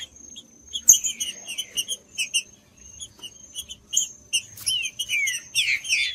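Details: Song of green-winged saltator, played to warm up a cold bird: scattered high chirps and clicks, then louder whistled descending slurred phrases toward the end, with a steady thin high tone throughout.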